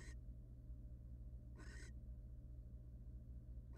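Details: Wild barn owl at a monitored nest box: short, harsh, noisy hissing bursts, each about a third of a second, one in the middle and two cut off at the edges, over a steady low hum.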